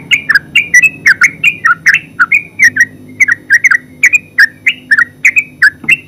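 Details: Loud, dense song of the yellow-vented bulbul (terucuk): rich, throaty whistled notes tumbling rapidly in pairs and triplets with scarcely any gap throughout.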